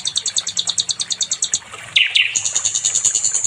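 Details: Sikatan londo, or nightingale, singing to train other songbirds: a fast run of high double ticks, a pause, two lower buzzy swooping notes, then a rapid high trill to the end.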